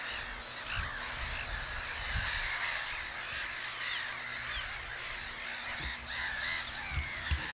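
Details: Black-headed Gulls with large chicks in a colony on Texel, 2017, fill the air with a dense chorus of harsh, grating, overlapping calls, with low thumps and rumbles underneath.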